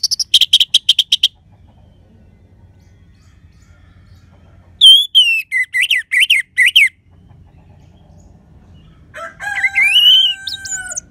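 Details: Orange-headed thrush using the clear 'crystal' voice meant to stimulate listless birds: a fast buzzy trill, silence, a run of looping descending notes, then long high varied whistles.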